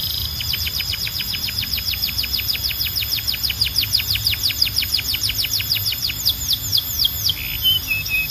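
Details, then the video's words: Canary singing a long fast series of repeated high sweeping notes, slowing toward the end into separate descending whistles and a low buzzy note. "Ultimate Canary Singing Compilation – Loud, Clear & Relaxing Sounds"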